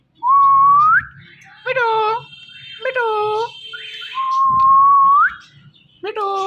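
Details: A ringneck parakeet talking "Mitthu" gives two long whistled tones that rise at the end, between short harmonic spoken syllables, with low murmuring in the background.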